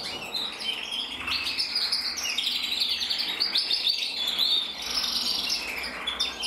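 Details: Male canary of red-black intensive colouring, hatched 2024, split for mosaic, singing a continuous high, bright warble of rapid rolled trills and chirps that runs unbroken through the whole stretch, with small shifts in pitch and tempo.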